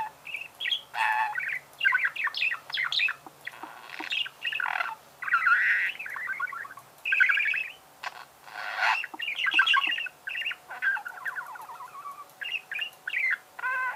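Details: Budgerigar warbling almost without pause: dense chatter of clicks, buzzy trills and squeaky chirps, with a faint steady hum underneath.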